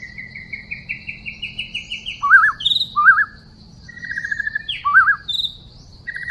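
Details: A wild white-rumped shama, recorded while trapping on 12/12/2016, sings a fast run of about a dozen repeated chirps, then rich, varied whistled phrases with warbled, looping notes and short trills, over a low steady insect hum.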